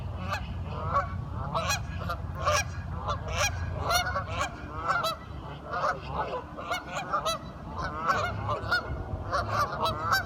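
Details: Curious ducks talking: a flock gives dense, overlapping nasal honks and squawks, many calls per second with harmonic upper tones, over a steady low hum in the background.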